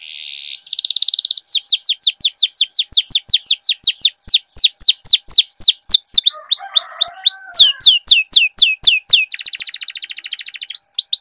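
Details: Long-rolling canary song for training young birds: buzzy trill, then a long run of rapid, evenly spaced downward-swooping notes about two per second, closing with another fast rattling trill.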